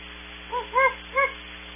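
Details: Very distant great horned owls at Starr Ranch, California, recorded by a wildlife camera and processed until distorted: three short arched hoots in under a second, the last two louder, over a steady electrical hum.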